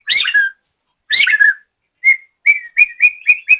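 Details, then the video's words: White-rumped shama, a caged practice bird from Banyumas, Central Java, Indonesia: two rich descending whistled phrases, then a series of short clipped notes repeated about every third of a second. "BURUNG LATBER MURAI BATU JAMBRET"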